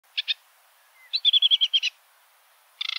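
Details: Sedge warbler singing: two quick chirps, then a rapid even series of about eight bright clipped notes, ending in a dense chattering burst.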